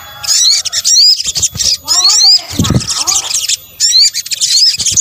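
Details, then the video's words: Lure mix of sunbird calls: high, busy twittering with repeated bright upslurred whistles, plus a run of lower descending notes in the middle and a low thump, then twittering resumes after a short pause. "PANCINGAN SOGON BUNYI AMPUH | kombinasi suara sogok ontong"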